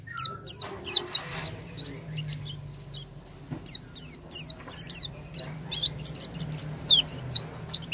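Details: Oriental white-eye, used as a lure to get a silent white-eye singing: a fast stream of high, thin, downward-slurred chirps, many per second, with faint lower notes and a low background hum.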